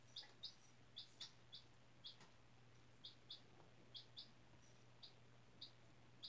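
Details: Indoor baby chicken, four days old, hatched from a white egg in a classroom incubator; sharp high-pitched peeps, often doubled, sounding roughly every half second, over a quiet background with steady low hum.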